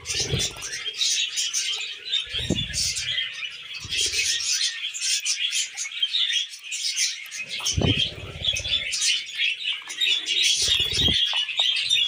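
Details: Constant chirruping and twittering from tamed pet budgerigars, fast and squeaky, broken by several dull low knocks or handling bumps spread through the recording.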